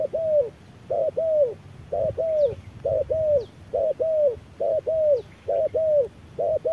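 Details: Under harsh midday sun, a wild spotted dove duels with an electronic decoy, beak wide open; rhythmic double coos, a brief note and a longer arching one, repeated evenly throughout with soft background hiss.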